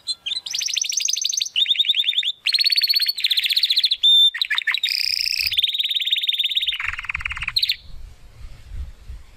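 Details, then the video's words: Young Spanish Timbrado canary working toward its full song strings together varied rapid trills, a short pure piping note and a lower rolling phrase, ending with faint low rumbling background noise. "Canary Song - Spanish Timbrado Classico"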